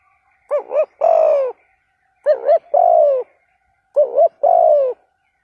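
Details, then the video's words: Spotted dove kept as a decoy, cooing to provoke a rival wild dove: a wavering double note and a long falling coo, the phrase repeated three times with regular pauses, no other sounds. "Tiếng chim cu gáy kích bổi hiệu quả bài bản thúc gù"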